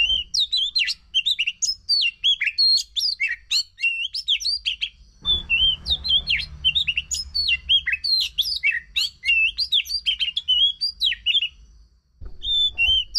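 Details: Oriental magpie-robin song used to prompt a silent bird to sing: fast, varied whistled and chirpy phrases with sharp slurred notes, in bursts separated by a pause near five seconds, over a faint low hum.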